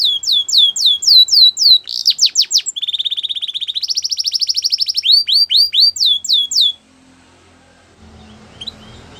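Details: Belgian canary singing loud tours of falling whistles, a fast rolling trill, then more swooping notes. Song stops after about seven seconds, leaving low background noise.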